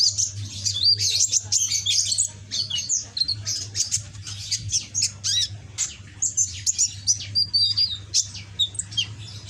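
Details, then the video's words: Red-backed green sunbird, a young caged bird still learning song phrases, chatters in long bursts of squeaky, scratchy high notes and quick tweets, with a steady low hum beneath. "Burung Kolibri ninja punggung merah ijoan gacor"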